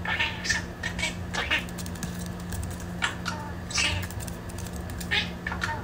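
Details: A pet budgerigar, a great talker that is playing and distracted by the camera, chatters in short, scratchy bursts of squeaky mimicked syllables every second or so, over a steady low hum and faint tapping.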